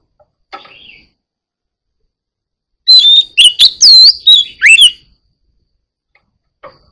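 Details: White-rumped shama in full song: a loud two-second burst of sharp, rich whistles with rising and falling sweeps, set between faint short notes and long silences.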